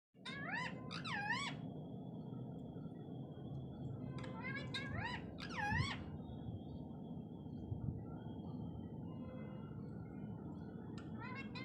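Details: Talking parrot giving bursts of wavy, harmonic, up-and-down vocalizations in quick groups of three or four, at the start, middle and end, over a steady low indoor hum.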